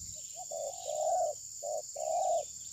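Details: Spotted dove, a decoy bird used in trapping wild doves that would not attack its rival, possibly in molt, recorded on a phone: low mellow coos with two short notes, then long drawn-out coo phrases, faint high insect hum behind.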